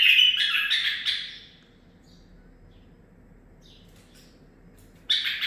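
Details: Tutored nine-month-old male bulbul singing learned 'zilzal' phrases: an opening burst of bright, rapid warbling notes that fades out, a long quiet pause, then another loud phrase starting at the end.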